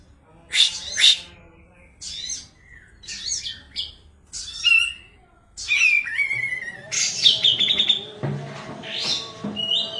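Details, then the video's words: Kapas tembak white-eye from Medan delivering spaced, varied phrases of sharp, high, slurred notes separated by short pauses, building into a longer rapid twittering passage toward the end. "KAPAS TEMBAK MEDAN GACOR ISIAN SUARA PEDAS NGEROLL SPEED NEMBAK EDAN LEPAS TROTOL"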